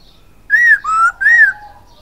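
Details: Masked laughingthrush (poksay hongkong) singing in lively gacor style: three clear whistled notes, an arched high whistle, a lower level one, then another arched whistle, in quiet surroundings.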